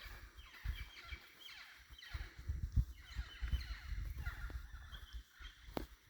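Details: Wild birds calling at dawn, around 6:00 AM, in Tikal National Park in January 2025: a dense chorus of overlapping harsh, cawing and chattering calls, with steady low rumbling noise underneath throughout.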